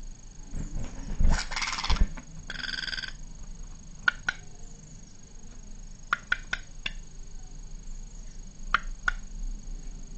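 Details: A male Black redstart at a nest platform, hollowing out an old nest and calling insistently to an undecided female, gives short, sharp ticking calls in pairs about two seconds apart, with rustling and thumping nearby, mostly early on.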